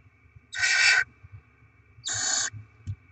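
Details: Barn owls at the nest during rodent deliveries and chick feeding: two harsh, noisy screeches about half a second each, separated by a pause of a second, then a faint click.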